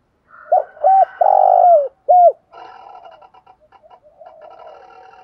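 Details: Spotted dove kept as a decoy, cooing to stir up wild doves: a phrase of two short hollow notes, one long drawn coo and a final clipped note, followed by quiet, broken, softer cooing.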